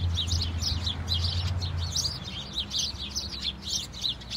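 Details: Many house sparrows chirping together in the snow, short clipped tweets tumbling over each other about three to four per second, with a low hum in the background.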